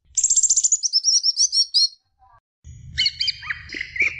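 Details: Greater green leafbird song for stimulating juniors: a fast, high, chattering run of twittered notes, a pause, then lower warbled phrases over a soft low rumble.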